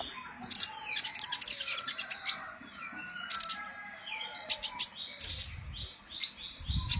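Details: Sunbird song, a recording used to lure or provoke other birds: clusters of sharp, very high chips and squeaky twitters come in bursts a second or two apart, with quiet pauses between.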